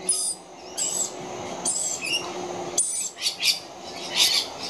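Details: A pair of very young rainbow lorikeets screeching for food, loud hissing high screeches lasting about half a second each, spaced irregularly, with a brief rising squeak between them and a faint steady hum beneath.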